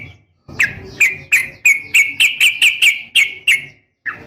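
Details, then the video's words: Female sooty-headed bulbul calling its male, a lure in a rapid fighting style: a steady series of clear, slightly falling whistled chirps, about three per second, followed by a brief pause and two more notes. "trucukan gacor SUARA NGGARUDA TARUNG ROPEL"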